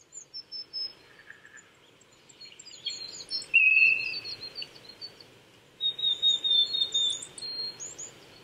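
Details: Japanese thrush singing on an April 2019 morning at 800 m in Saitama Prefectural Forest, Chichibu, Saitama, Japan: clear high whistled phrases of varied, sliding notes in separate bursts, with a faint background hum of insects and wind.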